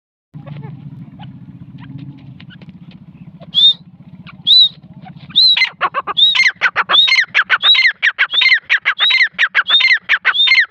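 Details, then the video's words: A grey francolin gives a loud, harsh series of ringing notes quickening to about two per second, after a low rumbling hum at the start. "Khasmiri teetar ki awaaz"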